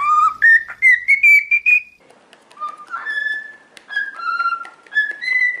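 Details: Cockatiel whistling a training melody: a bright phrase of notes rising step by step, then a softer phrase of lower, longer whistles that wander up and down.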